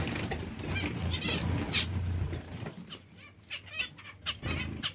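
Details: Zebra finch beeps, short and nasal, scattered through loud rustling and fluttering noise for the first half, then clearer single calls spaced apart in quieter moments.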